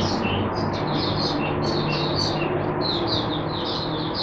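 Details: Caged oriental white-eye singing on a Sunday as a teacher bird for other white-eyes, 22 January 2022: a continuous run of high, thin twittering phrases over a steady low background hum.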